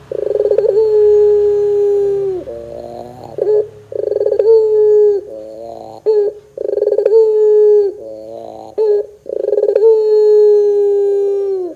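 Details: Ringneck dove singing in pelung style as a lure to make young doves respond: four repeated phrases, each a quick rolling start leading into a sustained, steady, low hollow coo, with short bubbling notes between phrases.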